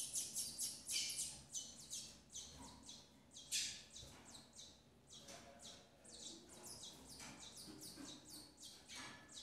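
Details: Double-collared seedeater female feeding her chicks, a burst of dense, high chirping at the start, then looser, quieter high chirps scattered unevenly, with occasional stronger notes.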